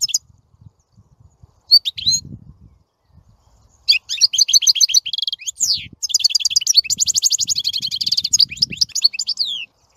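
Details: European goldfinch (Carduelis carduelis), song.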